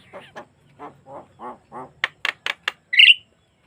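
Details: Javan myna song, a natural recording without effects and used as a lure to get other mynas singing: a run of nasal, harsh downslurred notes, then four sharp clicking notes and a closing high squeal.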